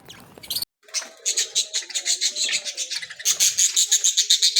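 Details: Aviary budgerigars singing and playing in cages: a fast, steady run of buzzy pulsed chatter that grows louder toward the end, with lower tonal notes underneath.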